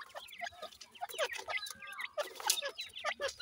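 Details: Sindhi grey francolin chicks feeding: a busy chorus of short, high, downslurred peeps and chirps from several chicks, overlapping with scattered clicks and rustling.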